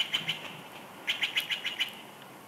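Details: Female bald eagle screaming as she flies in to her nest at Big Bear Lake, California, on January 9, 2021; a rapid series of high, thin chattering notes, two at first then six in quick succession.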